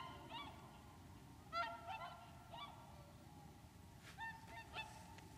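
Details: Whooper swans at Lac du Der nature reserve in Champagne, France, winter 2014, utter a series of short honking calls in two loose groups, each note clipped and harmonic, against a low background drone.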